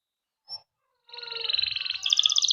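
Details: Caged male canary in Indonesia singing a long rolling song used as a lure to train young canaries; after a brief chirp, a buzzy trilled roll builds and climbs into a higher rapid trill.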